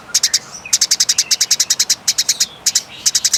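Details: Fighting Eurasian tree sparrow with a long, clear, rasping call. Quick runs of piercing high chirps come in clusters of three to eight, with brief gaps between clusters.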